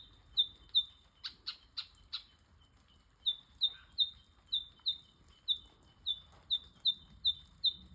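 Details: Two Eastern yellow robins in Australia give a long run of short, high, slightly falling piping notes, about three a second, broken early by a few harsher, louder chips.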